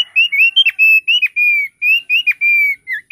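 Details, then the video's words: Rapid, continuous whistled phrases from a thick-billed heleia: clear sustained notes, some rising or falling, broken by sharp flicks, delivered almost without pause. "Suara Opior Paruh Tebal"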